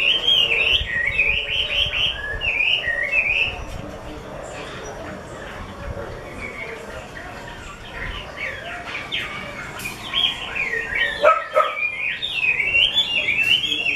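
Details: Chinese hwamei of the 'mơ' type, kept by a bird artisan, singing loud whistled phrases that rise and fall in quick runs. The song breaks off for several seconds in the middle, then comes back with warbles and trills. A faint murmur sits underneath.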